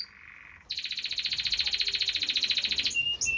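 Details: Canary delivering a very fast, even rolling trill lasting about two seconds, preceded by a softer lower note and followed by short whistled notes.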